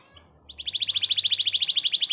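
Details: Canary singing vigorously in the ornate cengkok mewah style; after a brief quiet start, a fast, steady trill of high, clear repeated notes runs to the end, about eight notes a second.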